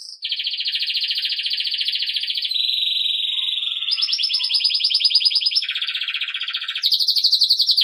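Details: Belgian canary song meant for training young birds: continuous rapid trills, each held a second or two before stepping to a new tone, some rolling, some smooth.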